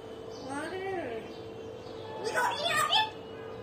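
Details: Pet common hill myna talking and laughing: a soft drawn-out murmur first, then a brisk cluster of bright chattering syllables near the end, over a background hum.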